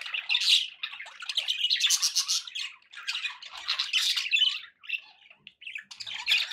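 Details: Pet budgerigars warble in raspy, squeaky bursts separated by short silences, with the chatter breaking off near the middle and late in the stretch before resuming.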